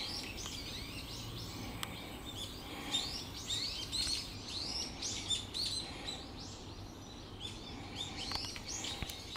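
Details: Warning calls of brown-eared bulbuls reacting to a bird of prey in November; dense chatter of shrill, slurred squeaky notes, loudest midway, fading toward the end amid soft background noise.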